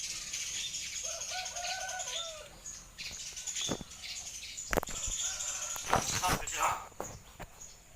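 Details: Common hill myna coughing and chattering like a human: a voice-like stacked tone held for about a second and a half, then scattered sharp clicks and rustling knocks over steady background hiss.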